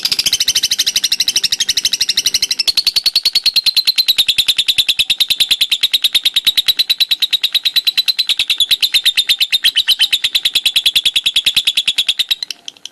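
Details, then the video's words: Lovebird in ngekek konslet style, delivering a continuous, very fast, high chattering trill for about thirteen seconds without pause, the pulses blurring into a steady rattle that fades at the very end. "Burung lovebird ngekek konslet"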